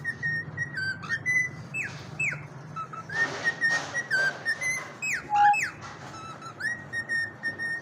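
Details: Whistling cockatiel: a series of clear whistled notes, some steady, some sliding down or up, repeated with short breaks over a low background hum.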